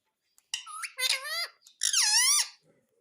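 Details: Pet rose-ringed parakeet speaking "Mummy": two loud, strained, high-pitched talking phrases with harmonic, bending tones, the second falling in pitch, inside a small room.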